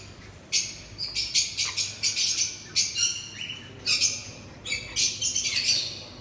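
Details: Pet sun conure during mating, giving a rapid series of sharp, harsh high chirps and squawks in clusters, some short notes sliding downward, in a quiet indoor setting.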